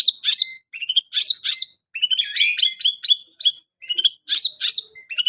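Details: Long-tailed shrike singing like a canary: bright high chirps, slurred whistles and rolling warbled notes in quick, uneven bursts, clean background.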